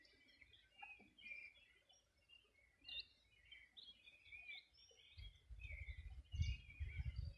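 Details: Birds singing on the bank of the Río Bueno, Los Ríos Region, on a summer morning in 2020. Several overlapping chirps and short warbled phrases come from different birds, with low rumbling noise swelling toward the end.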